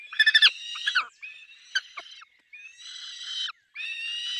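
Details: Peregrine falcon at the nest with chicks, opening with a few harsh clipped cackles, then drawn-out, nasal, even whining notes, the last two long and steady.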